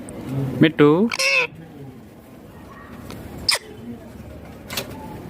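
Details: Pet green ringneck parrot talking: a quick cluster of harmonic, voice-like syllables at the start, followed by a long quiet stretch with a couple of faint clicks.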